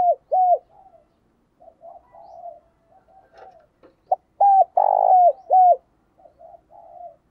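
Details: Lure spotted dove calling to attract wild doves: soft murmured coos, then a clear phrase of hollow mid-pitched coos with a long vibrating middle note and falling end, followed by quieter cooing.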